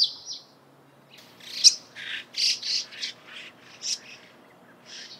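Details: Morning chirping of Eurasian tree sparrows: a busy run of loud, scratchy, high chirps and squeaks close together, with brief pauses between groups.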